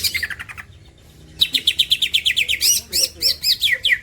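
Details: Champion green leafbird singing in a lively run of rapid chirped notes about three per second, sliding and whistled, after a brief softer opening phrase; faint low background hum.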